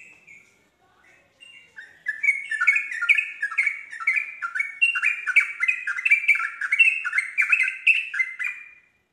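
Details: Yellow-vented bulbul, kept to spur other bulbuls into song: two soft opening notes, then a sudden dense, rapid chatter of bright warbled syllables lasting about seven seconds before stopping.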